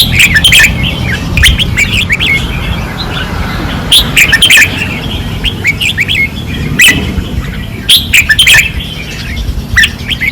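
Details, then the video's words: Red-whiskered bulbuls sing fiercely on a training perch in 2024. Bright chirping phrases rise and fall, coming in loose clusters every few seconds, with overlapping voices and a constant low rumble beneath. "เสียงนกกรงหัวจุก ราวซ้อม ร้องอย่างดุเดือด"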